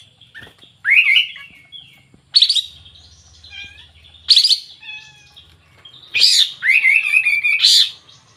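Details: 'Gacor' singing from a sooty-headed bulbul: rising whistled slurs, sharp chirpy bursts and a bubbling warbled phrase, with softer notes in between and a brief low rumble.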